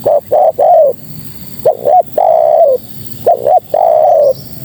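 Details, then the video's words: Spotted dove, a female calling males, repeats her phrase three times. Each phrase is two brief coos and then a longer, mellow, gently descending coo, roughly every one and a half seconds. "Suara Terkukur Betina Memanggil Jantan"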